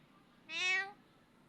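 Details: Talking parrot copying a cat to call it: a single half-second meow-like call, bright and harmonic, with a slight fall in pitch at the end, in a quiet room.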